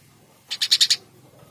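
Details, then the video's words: Eurasian tree sparrow (Passer montanus) calling busily: a quick burst of five harsh, bright chirps packed into half a second, evenly spaced and roughly equal in strength, then quiet with only faint low background hum. "Burung gereja gacor"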